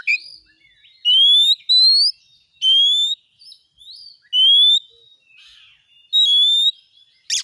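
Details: Lure song of an Oriental magpie-robin, meant to prompt a caged one to sing: clear rising whistles, each about half a second long, repeated every second or two, with soft chips between them.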